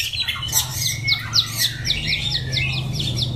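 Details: White-rumped shama recorded in Daklak, Vietnam, in September 2015: a fast series of sharp, high, down-slurred notes repeated about four times a second, over a steady low hum.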